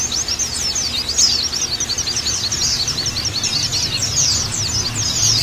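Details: Oriental white-eye training lure for caged birds chosen from groups: a rapid stream of very high, sharp chirps and short twitters, running nonstop at a steady pace, with a low background hum.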